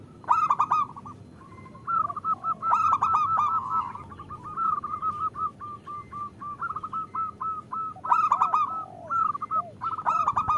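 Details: Indonesian local zebra doves, caged, with the female calling the male: long runs of rapid beaded notes held at one pitch, swelling and fading, punctuated by harsher clicking bursts from several overlapping birds.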